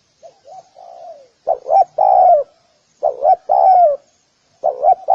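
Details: Spotted dove lure cooing: soft introductory coos lead into three strong phrases of two short notes and a long falling coo.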